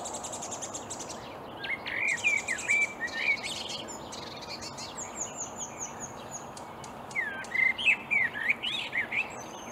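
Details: Marsh warbler song from reeds in Upplands Väsby, Sweden, early on a May morning in 2020: two bursts of energetic, varied warbling with sharp chips and fluty slurs, separated by a thin, high trill of quick repeated notes.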